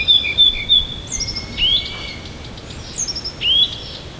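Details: Siberian bird singing in the morning near Tomsk: a few high, thin whistles and short upslurred notes separated by quiet gaps, over steady faint background noise.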